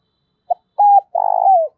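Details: Decoy spotted dove in the morning calling its flock: one clean phrase of a short pip, an even coo and a long, slightly purring note that slurs downward.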